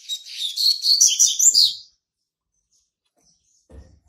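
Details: Young male Double-collared Seedeater, still brown, born in March 2019 and already marking territory, delivers a fast twittering phrase of high buzzy whistles for nearly two seconds, followed by quiet and a faint soft thump.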